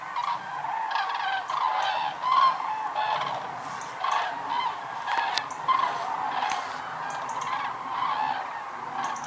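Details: Huge migrating flock of common cranes, more than 206,000 birds, gathered at Lac du Der-Chantecoq in Champagne-Ardenne, France, November 2014; loud, rolling trumpeted calls overlap constantly, rising and falling in waves across the whole recording.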